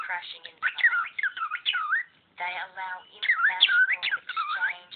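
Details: Indoor pet cockatiel talking over a lecturer; bright warbling whistles that swoop up and down in rapid strings, broken by one brief silence midway.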